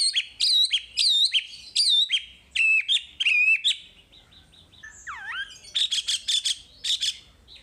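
Mangrove Whistler singing a lively, varied run of high, clear chirps and ringing notes in quick bursts, with a lower swooping whistle near the end.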